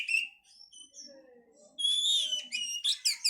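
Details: Oriental magpie-robin song as a breeding-condition lure: soft thin whistles at first, then a loud sustained high whistle followed by rapid chirping notes.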